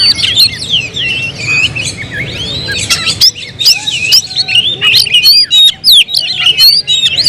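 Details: Kacer, or Oriental magpie-robin, delivering an energetic string of loud whistles, swooping slurs and crisp clicks, the phrases changing constantly.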